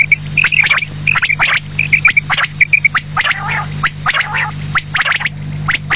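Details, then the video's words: Quail heard in the evening giving bright, clipped notes in fast little groups during the first three seconds, then rougher squawky sounds, with clicks and a constant low hum. "batair ki awaz sham k lia"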